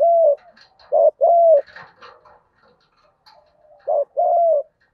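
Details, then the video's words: Field-voice spotted dove uttering continuous fighting coos meant to lure wild doves: paired low hooting notes, a short clipped note then a drawn-out slurred one, with faint scratchy background sounds between the pairs. "Chim cu gáy giọng đồng gù đấu liên tục dúp bổi ức chế rất cao"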